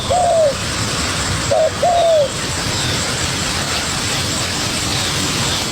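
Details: ['Young wild spotted dove fighting a decoy bird: one long falling coo, a short coo, then another drawn coo, followed by several seconds of only hissing background.']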